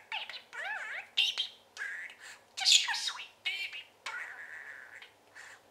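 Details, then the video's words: Pet male parakeet chattering indoors: harsh squawky warbles and sliding nasal notes in irregular bursts, some drawn-out, about forty a minute. "Chatting and Trilling"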